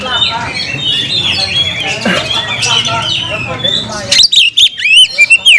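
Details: Mixed, muffled chatter fills the first seconds, then a male-style oriental magpie-robin challenge to a rival breaks out in crisp, separate whistled and scratchy notes near the end.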